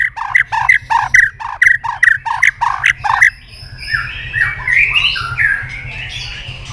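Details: White-rumped shama (murai batu) lure song: a row of loud, harsh, rasping notes, about three per second, followed by softer rambling warbles and slurred whistles.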